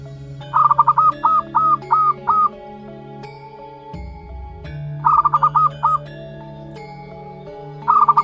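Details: Young zebra dove, one month old, of local wild stock, giving a rapid stutter followed by four looping hooked notes, then two shorter bursts of the same pattern, against constant tonal humming in the background.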